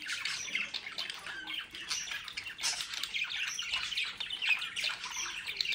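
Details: Captive-bred budgerigars in the Den Haag region, South Holland, Netherlands, described as mischievous, chatter in a steady, dense, fairly soft wash of overlapping scratchy chirps with no clear pauses.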